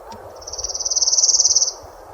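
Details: A Palm Warbler on the Orono bog boardwalk, Bangor City Forest, Maine, in spring gives a loose, rattly, high trill of about twenty quick notes lasting just over a second, over faint outdoor background noise.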